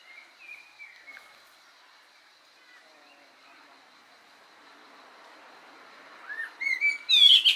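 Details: Common blackbird chirping while eating berries, filmed June 22, 2020; a few faint thin notes early on, then a loud burst of sharp, high, rapidly repeated chirps at the end.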